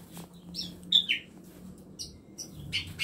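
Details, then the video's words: Aviary tutor birds in a cramped home space give a few scattered bright chirps and a rising whistle-like note, separated by short quiet gaps. "KANDANG AVIARY ISI NYA BURUNG BURUNG MASTERAN"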